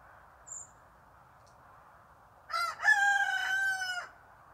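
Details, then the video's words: Crowing of a Barnevelder rooster: a short harsh burst, a brief break, then a sustained loud call lasting over a second, set against a constant low hum. "Barnevelder rooster crowing chant du coq"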